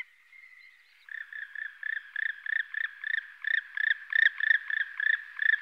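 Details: Black woodpecker (Dryocopus martius), call series.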